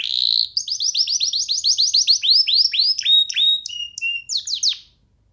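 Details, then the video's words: Young canary perched on a person's hand sings a quick trill of falling whistled slurs, then flat whistled notes and a few sharp descending sweeps. "Canary singing freely on sitting on d hand"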